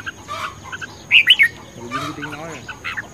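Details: Red-whiskered bulbul in fired-up competition singing, recorded 10 May 2020: a quick burst of three loud, clear whistled notes, each bending down, with faint chirps before and lower harmonic calls from other birds afterward.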